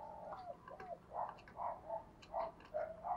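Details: Spotted dove decoy calling to entice wild doves gives repeated low, rounded coo notes roughly every half second, with a few faint clicks behind.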